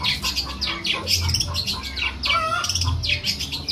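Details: Long-tailed shrike in energetic song, reportedly imitating a cat: rapid series of harsh, scratchy high notes and short sweeping squeals, with low steady hum underneath.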